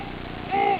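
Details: A penguin at the water surface, often calling when alone and answered by distant others, gives a brief, nasal, harmonic call over a low background rumble.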